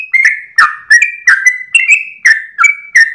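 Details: Sooty-headed bulbul singing its long early-morning 'ropel' song with tail wagging, played to train cage birds; quick chain of whistled notes, each a short slur, some sliding down, steady pace throughout.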